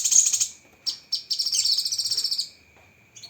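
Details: Cucak kinoi song for training, with sharp 'tembakan' phrases: a shrill trill, two short chips, then a rapid rattling trill lasting over a second, fading into quiet, with a constant thin hum.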